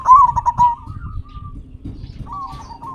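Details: Local zebra dove song used to prompt captive birds to sing: one loud, quick string of stuttering coos at the start, fading into a held coo, with low background rumble and a soft coo phrase near the end.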